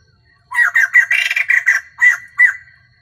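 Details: A female White-crested laughingthrush, used as a decoy call to stir males, gives a quick run of about eight harsh, rasping chattering notes in two and a half seconds, with nothing else heard.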